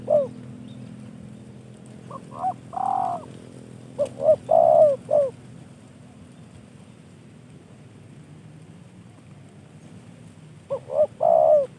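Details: A kept spotted dove, a gift from a fellow bird keeper, gives three cooing phrases, each made of short hooked coos and a long level coo. A long quiet gap comes before the final phrase.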